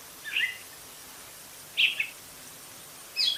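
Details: Gray catbird giving three short, bright, chirpy notes, each slightly slurred and spaced more than a second apart, over a steady soft background hiss.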